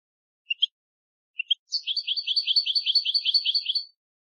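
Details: European goldfinch song recorded for teaching young birds to sing: two short paired chirps, then a fast buzzy trill of about a dozen rapid repeated notes lasting two seconds, high-pitched and clean with no other sounds.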